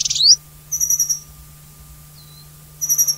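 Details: Alpine accentor of the Taiwan endemic subspecies, on high-altitude rocky ground at Hehuanshan, Taiwan, gives high, rapid trilled bursts of short chirping notes, two bursts about two seconds apart, over a steady low hum.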